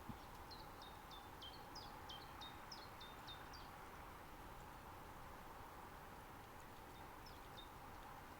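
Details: Common chiffchaff recorded in mid-spring in a nature reserve in Estonia with a Zoom F6 recorder and Sennheiser MKH 8040 microphones: a faint series of short high notes, each dropping sharply, repeated rapidly for about three seconds, then a brief burst near the end.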